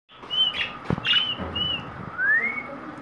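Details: A pet green parrot gives short whistled notes, some falling and one long rising slur near the end, over a steady faint background hum with a soft thump near one second.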